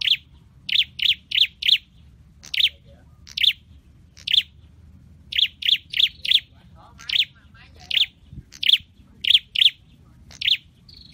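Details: Caged scarlet-headed flowerpecker in training, uttering sharp, high chipping notes in quick bursts of three or four, separated by short pauses, over a quiet background.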